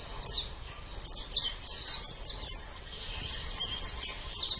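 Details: High, busy twittering from a white-eye, a training recording for caged songbirds meant for morning or evening sessions: rapid descending chirps strung together almost continuously, rising and falling in loudness.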